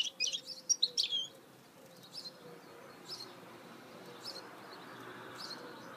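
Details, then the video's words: Song of a goldfinch hybrid, or mule: a quick burst of sharp, high twittering notes at the start, then only faint, scattered chirps over a soft background hiss. "Chant mulet chardonneret تغريد هجين الحسون"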